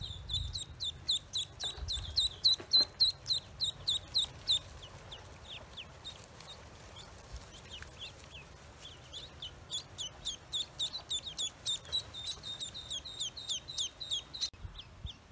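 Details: On a farm, just-hatched Pekin ducklings keep up long runs of sharp, high peeps, regular bursts of several notes a second that fade midway and then return strongly.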